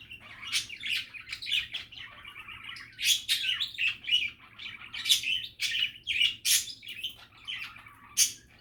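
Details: Lively budgie chatter, a stream of buzzy warbled phrases punctuated by loud sharp chirps roughly every half second to second.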